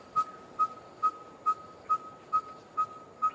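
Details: Red-fronted tinkerbird giving its monotonous call, often heard on hot midsummer days: a single pure whistled note around one pitch, repeated steadily about every 0.43 seconds, eight identical pips.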